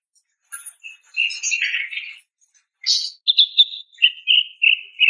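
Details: Greater green leafbird female calling to attract a male: a scratchy warbled phrase, then a run of short clipped notes stepping gently down in pitch, repeated several times a second.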